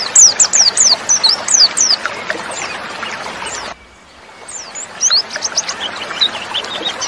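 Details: Female white-eye sound meant to make males sing like in the wild. A quick run of high falling chirps opens, then a brief dead gap, then softer scattered chirps return amid background bird noise.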